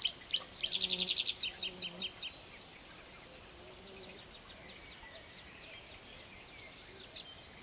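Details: Tree pipit singing while perched on the ground, giving shorter strophes than in song flight: a loud, rapid run of high repeated notes for about two seconds, then a fainter, thinner high trill and scattered high notes.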